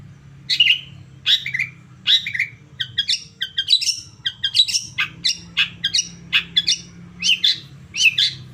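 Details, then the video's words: Long-tailed shrike song played as a stimulus to provoke singing. A stream of harsh, grating, downslurred notes repeats about every half second and grows denser and more jumbled toward the end, over a low background hum. "pancingan cendet PAGI SIANG SORE pancingan khusus buat cendet bahan agar cepat nyaut emosi ikt bunyi"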